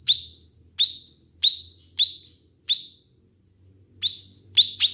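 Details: Kinoi bird song for training and luring birds: short, sharp high chirps, each dropping and then lifting, repeated about three times a second, then a pause of nearly a second before the series resumes.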